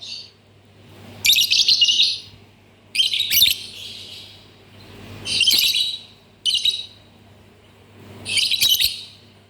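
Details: Lovebird giving short bursts of harsh, high chattering chirps, about five separate bursts spaced one to two seconds apart, over a low steady hum.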